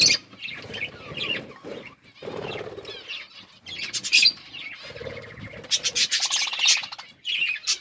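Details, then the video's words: Chirping budgies at their food: uneven bursts of high, scratchy twittering and squeaky warbles, broken by brief gaps, with soft feeding rustles beneath. "Parakeet eating food budgies chirping sounds"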